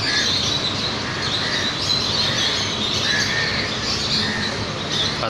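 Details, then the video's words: Small birds chirping, short bright notes repeated at irregular intervals through a steady loud hiss of background noise. "পাখির কিচির মিচির শব্দ"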